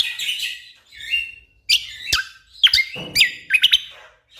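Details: Orange-spotted bulbul singing a master song for training competition songbirds, full of dense rapid bursts: loud whistled notes and sharp chirps swooping between mid and high pitch, broken by short pauses, with a brief harsh rasp in the middle.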